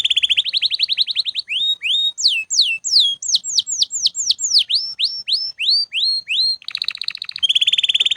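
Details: Canary singing nonstop, used for training other birds: fast high trills open the phrase, then a series of sharp descending whistled sweeps about three per second, ending in buzzy rapid rolls.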